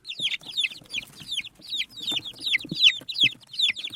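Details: Desi baby chicks chirping as they eat rice: bright, sharply falling peeps repeated rapidly in small bursts, several chicks calling together, with soft tapping sounds underneath.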